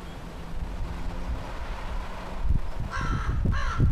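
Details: American crow perched in a tree, giving two harsh, hoarse caws close together near the end, over a steady low hum and faint rumble.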